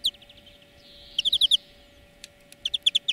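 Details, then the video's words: European greenfinch song from a training lesson for birds: soft twittering notes, a short bright trill, scattered clicks, then another fast run of clear chirps, with a faint background hum. "Florya Ötüm Dersi"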